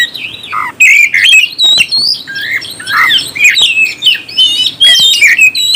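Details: Oriental magpie-robin singing to provoke rivals, fast varied phrases of high whistles, squeaky twitters and brief harsh notes repeated in rapid succession.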